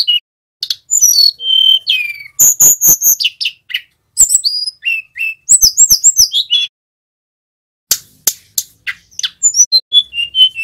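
A young male Sunda robin practises a high, varied song of thin whistles, quick chirps and short trills in bursts, broken by brief pauses.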